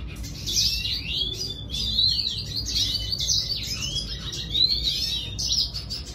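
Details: Red siskin song, a fast continuous warble of high twittering notes and swooping whistled slurs with brief pauses, against a low steady hum.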